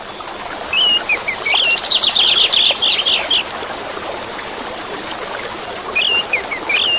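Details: Orange-headed thrush song, used as therapy for caged birds that stopped singing: short whistled slurred phrases, then a fast chattering trill run, then more whistled notes near the end, over constant rushing water.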